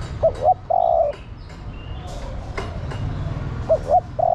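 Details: Female spotted dove calling to the male, giving a cooing phrase of two quick curved notes and a long steady coo, then starting the same phrase again about three seconds later.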